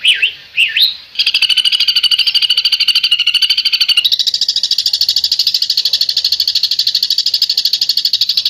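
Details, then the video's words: Bird delivering besetan song: two slurred whistles, then a long, unbroken, very fast buzzy trill of tightly packed high pulses that shifts higher halfway through. "SUARA BURUNG BESETAN"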